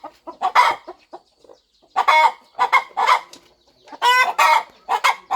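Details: Mother hen in a quiet farm corner, readying to hatch her eggs. Scattered soft clucks give way to louder, harsher drawn-out clucks in pairs.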